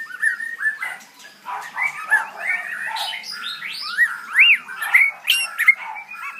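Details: White-rumped shama, a new young bird, producing varied warbling with rough chattering notes and several clear arched whistles, in uneven bursts.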